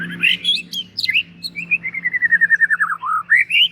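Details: White-rumped shama, a kept bird ready for contest hanging, singing a rich varied phrase: swooping whistles, then a fast descending run of repeated clear notes, ending in rising whistles, over a steady low hum.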